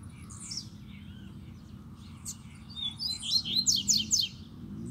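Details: A double-collared seedeater sings near a cage holding a female: soft scattered chirps, then a brisk, loud series of sharp, sweet notes lasting about a second, with other birds faintly in the background.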